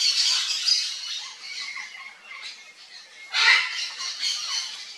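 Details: Harsh, grating squawks of a yellow-faced parrot: a loud opening series, softer rasping calls in the middle, then a sharp loud burst and trailing rough notes.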